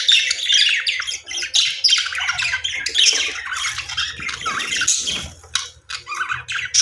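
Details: Several budgerigars calling together in an aviary, rapid harsh squawks and twittering chirps overlapping in a steady, lively stream, a few sharper notes standing out toward the end.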